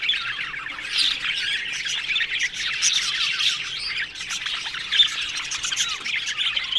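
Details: Aviary flock of Australian budgerigars: constant chirping and scratchy warbles from many birds, swelling and dipping in loudness, with a few sharper squeaks standing out above the chorus.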